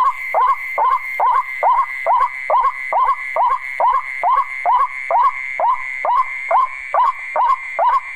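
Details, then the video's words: Repeated hollow hoots from a coucal, about two per second in a steady rhythm, each note swooping up and falling away, accompanied by a continuous thin electronic-sounding tone. "Test tiếng quốc"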